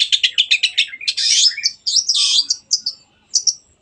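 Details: Long-tailed shrike singing vigorously as a lure to make other birds sing: a fast series of harsh, evenly spaced chips, then a long rasping phrase and scattered shrill whistles.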